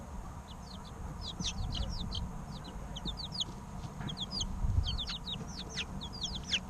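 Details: Loud, busy chirping from three-week-old chicken chicks, with high sliding peeps repeated rapidly and overlapping, plus light low thumps and a steady hum.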